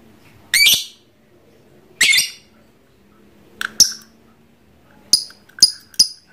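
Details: Trondol lovebird, a caged pet trained for long ngekek chattering. Two long harsh screeches are followed by sharper, clipped high chirps in quick succession, in an indoor setting.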